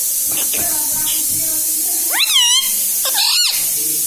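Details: Pet parrot that says "mummy" and "radhe radhe" gives two wavering, nasal, speech-like utterances after two seconds, preceded by faint murmuring, with a continuous hiss throughout.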